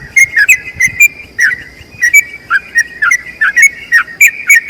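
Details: Ropel panjang long-trill song of a yellow-vented bulbul, played to teach other bulbuls: loud whistled notes in quick, slightly uneven bursts, some doubled, over a quiet background.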